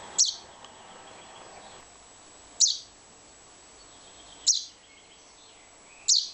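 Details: A young chaffinch searching for its parents gives four short, high, sharp calls, spaced about two seconds apart, over a faint background hiss.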